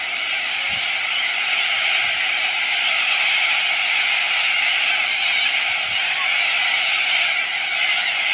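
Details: Large gathering of corellas at Minkies Lagoon near Innamincka, South Australia, close and loud: a dense, roaring wall of overlapping harsh screeches with no pauses.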